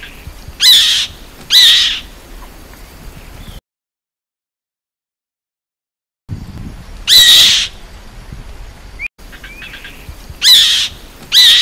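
A Black-winged kite gives harsh, high, rasping screeches, mostly in pairs about a second apart, with a short break in between. Nothing else is heard.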